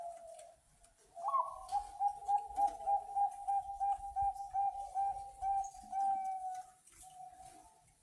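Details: Bangkok-type zebra dove with a big voice, kept as a lure to get pet doves cooing. A brief low coo, then a long sustained cooing phrase pulsing rhythmically about three times a second, ending in a short coo. Faint room noise underneath.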